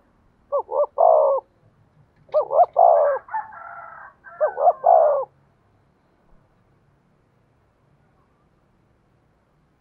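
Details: Decoy spotted dove calling in the 'giọng thổ' voice style. Three low, mellow cooing phrases follow one another, each with two short hooting notes and then a longer throaty coo. Otherwise quiet.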